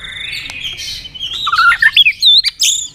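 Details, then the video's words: White-rumped shama in competitive song: a faint high buzzy strain, then a quick series of varied whistled notes climbing in pitch and ending in sharp high chips. "chòe lửa hót nhấp đuôi tốc độ. kích chòe lửa hót đấu ức chế. chòe lửa nhạy mỏ"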